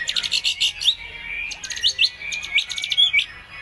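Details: White-rumped shama singing actively, a full song packed with phrases borrowed from other birds, used as a lure to make other birds answer; quick high chirps and sharp bursts come in uneven clusters.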